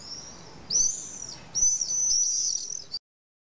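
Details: Common swifts at their nest holes in a retaining wall in Nice, France, in the evening; two sudden bursts of piercing, high trilled screams, the second drawn out, then abrupt silence.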